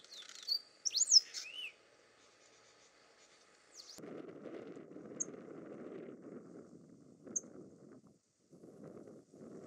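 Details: A Pale-throated Pampa-finch (Embernagra longicauda) calling on Morro do Pai Inácio, Chapada Diamantina, Bahia, Brazil, on 21 January 2019 at 17:05 gives a quick burst of high, sweeping chips and slurred notes, followed by low rumbling wind noise.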